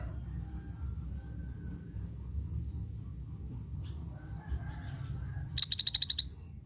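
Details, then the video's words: Characteristic sound of a scaly-breasted bulbul, heard late as a rapid run of about seven bright, clipped high notes in well under a second, following a long quiet stretch with low hum and faint distant chirps. "suara khas burung cucak bersisik"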